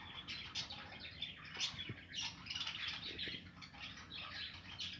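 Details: Nesting budgerigars kept in an aviary, 2020, keep up a steady babble of bright chirps and buzzy warbles, notes crowding over each other, faint thuds now and then.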